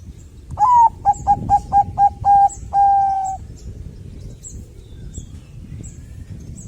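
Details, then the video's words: Zebra dove of the Bangkok type, singing to prompt other doves: a bright opening coo, six rapid short notes and a long final coo, followed by several seconds of low rumble and faint distant chirps. "suara perkutut Bangkok gacor untuk pancingan cepat bunyi"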